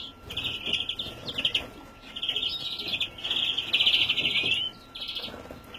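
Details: Juvenile European greenfinch, 2017, utters rasping, buzzy notes in drawn-out bursts. The longest lasts over a second near the middle. A faint constant electrical tone runs beneath.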